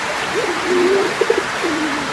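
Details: A male domestic pigeon in full breeding mode at a loft in Kashimpur, Gazipur, Bangladesh, on 2 August 2025 gives low, soft coos, a drawn-out hum and short throaty pulses, half lost under steady hissing rain.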